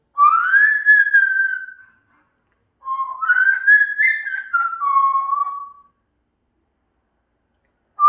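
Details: Pet African grey parrot whistling two smooth phrases: the first rises then glides gently down, the second climbs in steps and drops to a steady lower tone, separated by a short silence.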